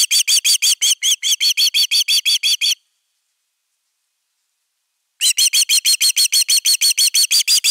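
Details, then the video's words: An Osprey at its nest on 31 August 2021 gives alarm calls while defending it: clipped, high, ringing whistles in a quick even run, a silence of about two and a half seconds, then another rapid run of whistles. "Myy pesää puolustamassa"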